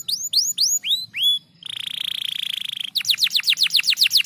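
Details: Canary singing: a few clear upslurred whistles, then a sustained buzzy rattling trill for over a second, then a fast run of descending whistled sweeps. A quiet low hum runs behind.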